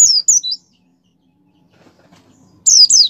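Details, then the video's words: Kept white-eye song used to stimulate other caged white-eyes to open their beaks and sing: two short bursts of high, thin descending chirps, three notes near the start and two after a pause of two seconds, with faint low rustling between. "suara pleci gacor pendongkrak mampu membuat pleci buka paruh"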